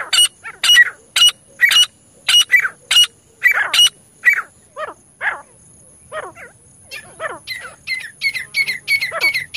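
A francolin gives loud, harsh, scratchy notes in quick bursts of about two per second, then softer descending squawks before the sharp notes start up again.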